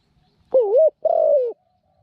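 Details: Zebra dove, a captive decoy bird with a small voice used for trapping other doves with a corral trap, gives two clear, mellow cooing notes, the first wavering and the second drawn out and falling slightly, in an otherwise quiet setting.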